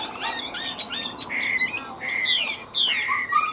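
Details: Caged Chinese hwamei sold in Vietnam, singing a mix of clear sustained whistles and quick slurred notes, some dropping to lower fluty tones near the end, over a faint steady hum.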